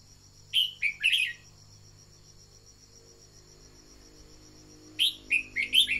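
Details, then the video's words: Red-whiskered bulbul decoy singing to rouse other birds: two phrases several seconds apart, each of three or four clear, slurred whistled notes, with a continuous high-pitched insect trill throughout. "Luyện giọng chào mào mồi-kích bổi mau hót"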